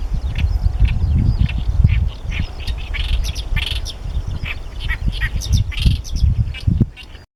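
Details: A male great reed warbler sings at his favourite song-post, claiming territory, in Nara City, Japan, on 14 May 2013: harsh, croaking, chattering phrases in quick irregular bursts over heavy low wind rumble on the microphone.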